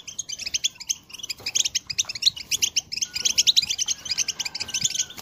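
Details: European goldfinch singing in a 2022 recording used to motivate other birds: close, rapid twittering chirps in bubbly phrases, with a faint thin whistle underneath toward the end.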